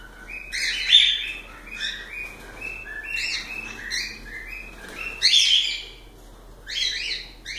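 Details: Chirping cockatiels give clustered, buzzy chirps and short warbled notes roughly every second, with a louder squawky burst midway and quieter chatter between calls.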